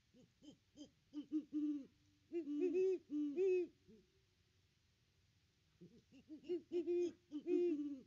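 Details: Two great horned owls at their nest tree on 25 December 2021, recorded by nest camera. Bursts of low hoots, some rapid and staccato, others long and full, with a silent gap midway before hooting resumes more loudly.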